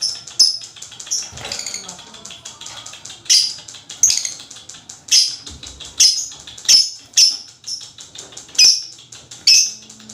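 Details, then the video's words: Long chattering of a lovebird, known locally as 'ngekek panjang', meant to prompt other lovebirds: shrill high notes repeated in an uneven series with dense rattling chatter between them and a brief low thump early on. "MEMANCING LOVE BIRD ANDA JADI GACOR NGEKEK PANJANG"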